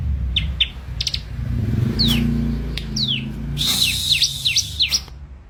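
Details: Ciblek (bar-winged prinia) uttering a few scattered high chirps, then a rapid burst of sharp, downslurred V-shaped notes, all over a continuous low hum.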